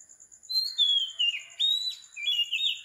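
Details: Early-morning song of an Oriental magpie-robin recorded at 4 am in Sri Lanka. Sweet whistled notes hold briefly, drop in pitch, then jump back up, with a constant pulsing insect chorus behind.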